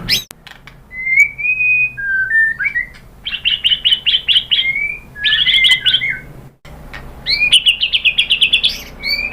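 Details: White-rumped shama singing to stimulate others to answer: a thin, steady whistle, then rapid runs of high, clipped notes, a warbled scratchy phrase, and a final fast jerky trill.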